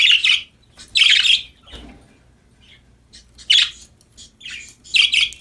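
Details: Budgies chirping happily as they play, with broad raspy chirps and warbles in bursts about every second, separated by soft gaps with faint shuffling.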